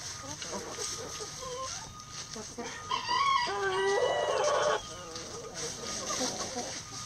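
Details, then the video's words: Backyard rooster crowing while the flock eats, foraging in pine needles and leaves for bugs, worms and pecans; after quiet clucking, a loud drawn-out crow of almost two seconds rises and holds, then the soft murmur of hens resumes. "Chickens Eating Rooster Crowing"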